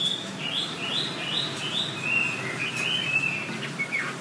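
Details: Wambi song meant for tutoring songbirds, a chain of wavering whistles repeated quickly, heard with a noticeable hiss and low background rumble.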